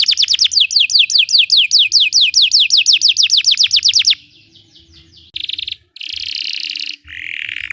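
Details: Belgian canary song for training canaries: a fast trill of descending whistled notes for about four seconds, followed by a soft twitter, then a harsh buzzy rolling phrase and a lower warbled tone.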